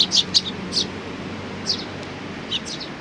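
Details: Sparrow chicks with their parents, recorded 17 May 2019: a few short, high chirps in a quick cluster at the start, then isolated single chirps, over a faint low background hum.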